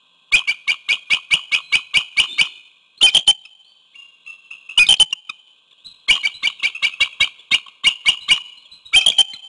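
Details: Bald eagle calling at a webcam-watched nest holding one egg, Hanover, York County, Pennsylvania, evening of 4 February 2021, seemingly to its mate. Several bursts of shrill, piping chatter, each a quick string of squeaky notes, separated by brief pauses.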